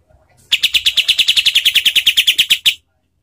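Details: Kapas tembak song in a coarse, fast style for tutoring contest birds: a single loud burst of about twenty sharp, evenly repeated notes over two seconds, then quiet.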